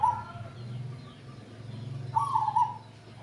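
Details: Male zebra dove (perkutut), an older bird chosen for its deep voice, coos at the buyer's house: the tail of one trilled phrase, then a fuller rolling coo with two bubbling notes, over a continuous low background hum.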